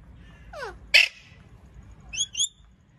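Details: A pet parakeet, identified as an Indian Ringneck ("Kashmiri" parrot), gives a loud, harsh screech, then two shorter, higher chirping notes about a second later, over a faint low hum.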